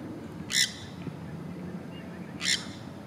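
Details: Wild green parrots in spring courtship in Florida, six birds chattering in the sun: two harsh, broadband squawks about two seconds apart over a steady low hum of outdoor background noise.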